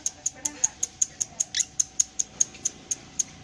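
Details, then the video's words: Lovebird in long ngekek with tail moving: a steady run of thin, high, ticking notes about three per second, with one brief harsher burst in the middle. "Love bird paud ngekek panjang ekor main"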